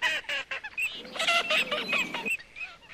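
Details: Coot uttering loud, nasal, clipped honks in quick succession, building to a dense, overlapping chorus before dropping to a few softer notes.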